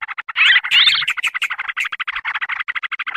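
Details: Sooty-headed bulbul lure recording made to draw in wild birds: rapid, harsh chattering notes in quick succession, with a louder burst of scratchy, rising notes near the start.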